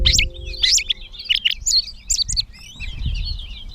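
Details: Gray catbird in Bowdoinham, Maine, May 16, 2020, delivering a fast jumble of squeaky chirps, slurred whistles and buzzy phrases, loud at first, then fading; a low steady hum lies underneath.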